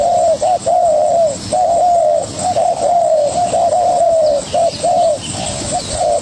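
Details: Young spotted dove calling hard against a decoy bird: a steady run of low, mellow coo notes, some drawn out and some clipped, following each other with barely a gap.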